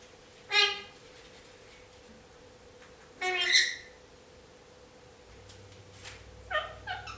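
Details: Pet male Indian ringneck parakeet mumbling before his nap: two short harmonic, nasal squawk-like notes a few seconds apart, then a cluster of soft, quick chattering notes near the end, with a steady low hum behind.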